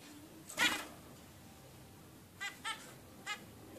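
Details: A 16-day-old zebra finch chick gives one louder, harsh call, then after a pause a quick series of three shorter nasal notes.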